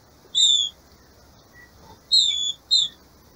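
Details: Breeding-season female green-winged saltator calling to stimulate the male: three clear high whistled notes, the first and second drawn out and slightly falling, the last short.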